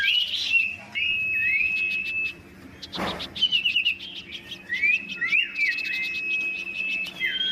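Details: Huyt Co bird singing competitively as a fired-up decoy bird; clear high whistled phrases with rising and falling slurs and fast trills, a sharp click midway.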